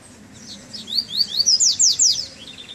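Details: Double-collared seedeater on a first cold-weather outing after moult delivers a rapid phrase of about seven loud, high, downslurred whistles, each sharp and ringing, ending with softer trailing notes.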